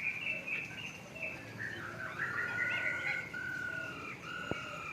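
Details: Masked laughingthrush singing in an aviary: a run of clear whistled notes, some held and level, others short and rising, overlapping at mid to high pitch, with one sharp click near the end.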